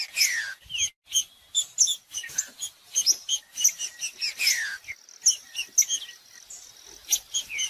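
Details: Green-winged saltator song for getting a cold trinca-ferro to sing: brief downward-sliding whistles at the start and again midway, largely buried under a continuous chatter of sharp high chirps and twitters.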